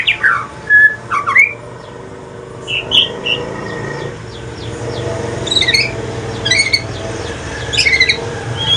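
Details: Evening song of an Aceh white-rumped shama shifting into pastol style, sparser here: scattered sharp whistled notes and brief chirpy phrases separated by pauses, with a quiet steady hum underneath.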